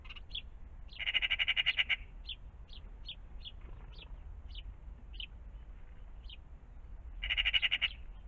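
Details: Magpies in and around a pond in the morning, giving two bursts of fast grating chatter, each under a second, separated by brief high chirps repeated every half second or so.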